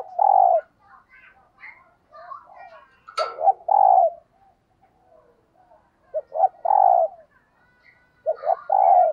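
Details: Decoy spotted dove giving the thúc gù coo style used to provoke wild doves: low, rounded two-part coos near the start, middle and end, with softer chattering and warbling from other birds between them.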